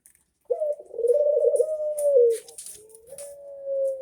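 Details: Local Barbary dove (puter lokal) giving its typically monotonous coo: a low, steady, drawn-out hooting note held for nearly two seconds, then a brief pause and a second, flatter sustained coo.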